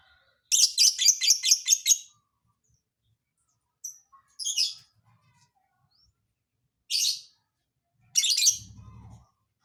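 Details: Lovebird with a strange, hard-to-guess song: a rapid run of shrill chirps, then short separate bursts after pauses, with a brief low hum near the end.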